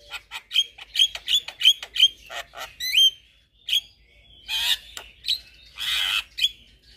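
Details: White-eyed Javan myna pumping its chatter for young birds to learn: a quick run of bright whistled chirps, then a rising whistle, harsh rasping squawks and scratchy bursts.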